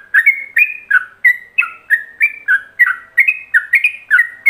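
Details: Ropelan-style master song of a yellow-vented bulbul, played so other bulbuls can imitate it: a fast, unbroken run of clear whistled notes that alternate up and down, roughly three each second, with a clean background.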